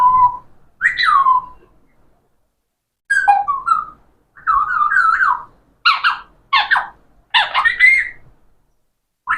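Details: Talking parrot giving a string of whistled, speech-like phrases with rising and falling tones, short syllables in separate bursts with pauses between them.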